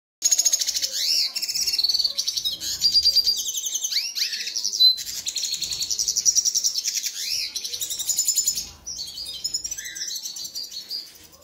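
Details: Red siskin during the mating process gives a continuous, high twittering song of rapid buzzy trills and thin rising whistles, running almost without pause.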